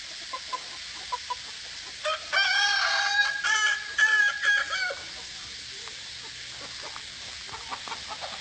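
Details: Kukuak Balenggek chicken, a 'singer' breed with a tiered, layered crow: a crow of about three seconds made of several stacked harmonic segments, preceded and followed by faint distant clucks and background noise.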